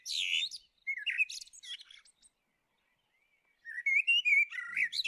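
Common blackbird giving two mellow, fluted warbling phrases a few seconds apart, each ending in higher squeaky twitters; no other sounds intrude.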